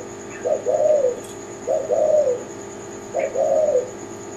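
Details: Spotted dove of the Kelantan type cooing: three low phrases, each a brief lead-in note followed by a longer rolling, purring coo, repeated about every one and a half seconds over a steady background hum.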